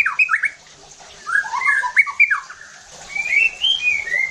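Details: White-rumped shama song for goading other shamas into heated singing: quick descending whistled notes, then chattering slurs, then a smooth run of level whistles.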